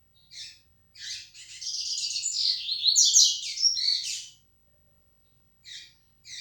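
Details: Yellow-bellied seedeater, flecha negra song style: a short chip, then a three-second rush of high, buzzy, rapidly repeated notes and trills, with separate chips afterwards.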